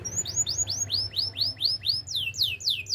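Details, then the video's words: Canary singing for training: a regular series of bright downward-slurred notes, roughly three per second, growing longer and broader toward the end. "Bird sounds canary chirping - The beautiful canary song"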